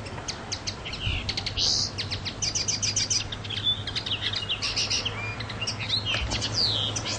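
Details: Common linnet singing on the island of Pantelleria on 9 January 2011: a fast, continuous twitter of high chirps, buzzy notes and short trills, with a steady low hum underneath.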